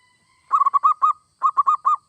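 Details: Zebra dove song, local or Bangkok perkutut, used to prompt other doves into singing: a handful of quick, rounded coos, a short silence, then four more spaced notes.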